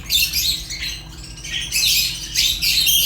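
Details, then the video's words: Fischer's lovebird chirps: three quick flurries of piercing, squeaky high notes, each lasting under a second and separated by brief pauses. "African lovebirds chirps sounds | تغاريد فيشر غندور روز"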